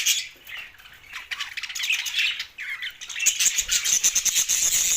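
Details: Pet budgies, two males, chirp and squawk in uneven bursts, ending in a quick series of thin, repeated high peeps over continued scratchy chatter.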